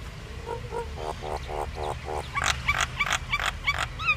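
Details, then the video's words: Common myna song from an Indian myna: low hollow gurgling notes repeated about three times a second, then a lively sequence of clicks and short upslurred whistles, fairly quiet against background hum. "Common myna bird song Indian myna sound | mynah singing"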